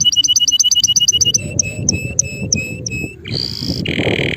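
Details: Male canary singing: a fast run of paired high chirps at an even beat, then slower spaced whistled notes and a sustained buzzy trill at the end, over a low background rumble.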